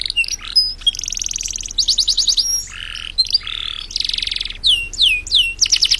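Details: Champion canary at an East Java bird contest, Indonesia, pouring out a varied medley of buzzy rolls, short pure whistles, harsh lower chatter and rapid trills, closing with several loud falling whistled notes.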